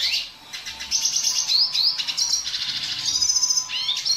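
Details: Red siskin of dilute colour singing, a tutor recording for juvenile birds. The song is a lively high twitter with several clear whistled upslurs and buzzing trills that follow one another closely.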